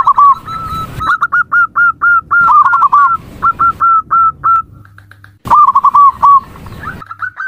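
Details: A zebra dove delivers rapid, rhythmic chains of short, upward-hooked coo notes, several per second, interspersed with rolling trills, with a sharp click and brief pause midway.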